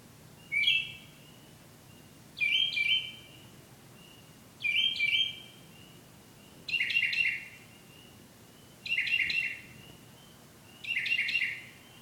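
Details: Returning at night, a bird sings repeated phrases of two or three bright chirped notes every two seconds or so, six phrases in all, quiet background.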